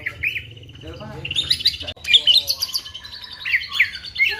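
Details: White-rumped shama song mimicking a female prinia, a jumble of sliding whistles and fast high chips with overlapping layered notes and some background noise.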